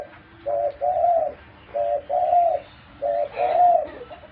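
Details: Pet dove cooing, three paired coos, each a short low hoot followed by a longer, fuller rolling coo, roughly one pair every 1.3 seconds, in a quiet setting.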